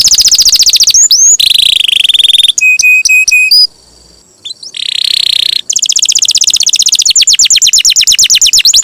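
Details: Energetic canary with a long rolling song used as training material for songbirds: fast high trills, a run of evenly spaced pure whistled notes, a brief gap, then long rapid rolls.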